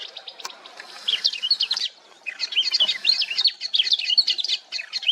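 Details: Swamp grass babbler in India, a busy run of quick, scratchy, chattering high notes in two bursts separated by a short pause, with a faint click near the start.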